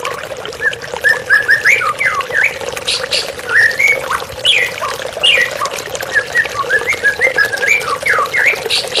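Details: White-rumped shama song for a therapy recording with flowing water: dense, rapid, varied whistles and chattering notes, sharply rising and falling, delivered almost without pause over a continuous water background.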